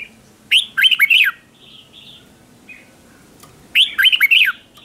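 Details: Decoy red-whiskered bulbul singing to call in wild birds, competition style: a bright phrase of rapid slurred, bouncing whistles, a short soft warble, then the same loud phrase repeated about three seconds later over a quiet background.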